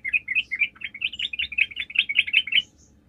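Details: Sooty-headed bulbul song used as a lure to make other bulbuls answer: a lively run of about a dozen bubbly, chirpy whistled notes in quick succession, slightly uneven rhythm, over a faint low background hum.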